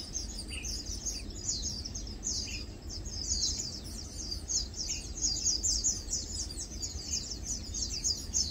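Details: Lowland White-eyes chilling and preening together, a constant chatter of thin, high-pitched tweets, with a few slightly lower chirps now and then and a muffled low background noise.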